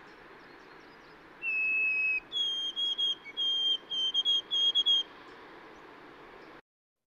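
White-throated Sparrow song: a long pure whistled note, then a higher series of repeated clear whistled triplets, like 'oh sweet Canada, Canada, Canada', over a steady background hiss.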